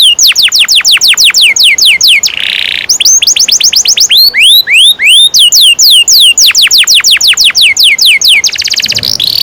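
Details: Song of a canary, played to train young canaries, with repeated downward-sweeping whistles in fast runs, a short buzzy rattle, rising slurs, and a closing harsh trill.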